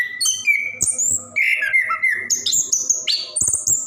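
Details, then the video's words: Orange-headed thrush kept in a cage, singing a long unbroken medley to stimulate other birds; a low steady whistle, then buzzy warbles and high sliding notes without gaps. "Anis Kembang / Plontang Gacor Ngerol"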